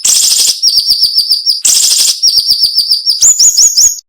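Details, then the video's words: Cinnamon-bellied flowerpecker song for tutoring songbirds, described as sharp and tight. Two harsh buzzy bursts each give way to rapid high chips, and the clip ends with a short run of higher upslurred notes. "MASTERAN SUARA BURUNG SIRI SIRI NEMBAK TAJAM"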